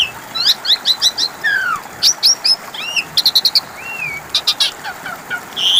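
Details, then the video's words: Asian pied starling singing as a lure meant to draw replies from birds that have stopped singing: rapid bright chirps in quick series, a descending slurred whistle, short rising notes and a sweeping whistled phrase near the end. "Pancingan suara burung jalak suren macet bunyi"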